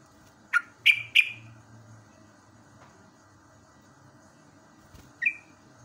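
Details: Yellow-vented bulbul heard live in the morning, natural training sound for caged birds: three quick sharp chirps in a burst, the last two loudest and falling, then silence and one softer chirp, over a low hum.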